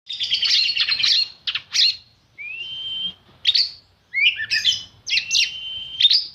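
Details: White-rumped shama singing: bursts of rich, varied chattering notes mixed with long pure whistles held level, some phrases sweeping upward, delivered in separate phrases with short pauses.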